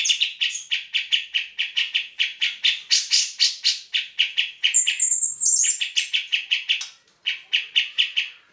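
Grey-cheeked bulbul giving a rapid run of harsh, chattering notes, about three a second, broken by a brief high whistled phrase near the middle.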